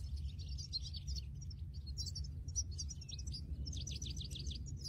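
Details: A European goldfinch in the wild sings a bright, tinkling twitter of quick liquid trills and buzzy notes, almost without pause, over a steady low rumble of wind or distant traffic.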